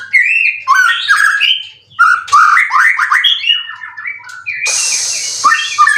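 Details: White-rumped shama, a caged contest bird of three moults said to be in 90% condition with cililin material; rapid chattering warbles and whistles in bursts, with a hissing noise late on.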